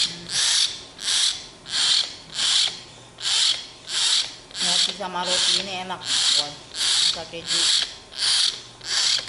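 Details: Tame young common hill myna begging for bread: a regular series of thirteen or so scratchy, noisy rasps, each under half a second, broken midway by a brief wavering, voice-like warble.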